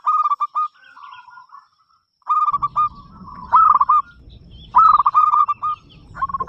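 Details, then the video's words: A local zebra dove (perkutut), a prolific loud singer kept to invite other doves to sing, gives bursts of quick, rolling, mellow coos, each phrase about a second long, over a low rumbling background. "perkutut lokal gacor suara besar"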